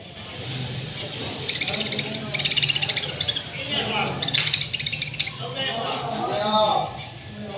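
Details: A parrot, described as calling its mate, gives harsh, scratchy squawks in three bursts over several seconds, with a steady background hum and what may be faint voices.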